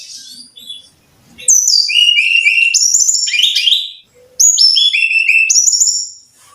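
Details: Master song of a brown-chested jungle flycatcher for caged birds: two long loud bursts of sweet whistled phrases, each falling in pitch and ending in steady held whistles, separated by a short gap.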